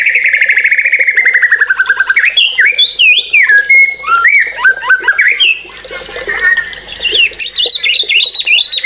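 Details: White-rumped shama song opening with a fast buzzy trill, then tumbling whistled phrases that jump in pitch, ending in high, rapid twittering.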